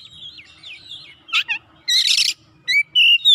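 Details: Oriental magpie-robin singing hard as if seeking an opponent: soft wavering whistles, then a harsh buzzy note, a loud rasping burst, and sharp rising whistled notes near the end.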